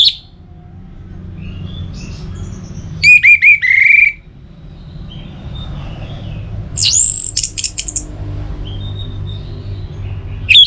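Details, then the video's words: Anis merah, the orange-headed thrush, from Singaraja in North Bali, singing as a prompt for other kept birds. Two short, loud bursts of sharp whistled notes separated by long stretches of quiet low rumble. "Pemancing Burung ANIS MERAH Agar Selalu Gacor"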